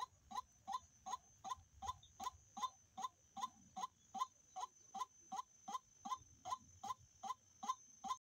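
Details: Male white-breasted waterhen lure call, with short hollow mid-pitched notes repeated steadily about twice per second across the whole stretch and a constant high electronic whine behind them.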